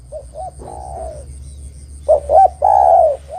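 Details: Derkuku, or spotted dove, singing a lure song for trapping wild doves: two brief coos and a long dipping coo, then sharp paired notes ending in a loud sustained downslurred coo, over a low background hum.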